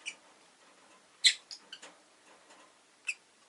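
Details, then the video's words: Rosy-faced lovebird chirping: a loud, sharp, high chirp followed by a quick run of shorter clipped chirps, then one more bright chirp near the end, over a faint hiss. "Lovebird Chirping Sounds"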